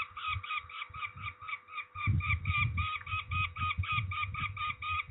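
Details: Peregrine falcon calling at Trzebież, Poland, on 13 May 2019 while being ringed: rapid, grating notes about four per second continue throughout, while loud low rumbling and handling noise swell after the first two seconds.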